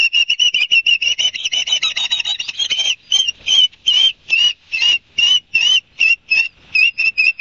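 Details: Ospreys calling at Barnegat Light, New Jersey, on a live nest camera, 5 September 2022 at 11:06, sped up: fast whistled chirps slowing after three seconds into spaced, slightly slurred whistles, about two per second.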